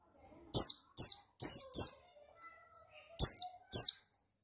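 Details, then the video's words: High, sharp, down-slurred chirps from a male buxtoni white-eye: a run of four, a pause, then two more. Used as a provoking call to make other white-eyes sing. "Suara Bikin Pleci Ngalas Emosi Memancing Bunyi Pleci Bustomi Gacor Ampuh"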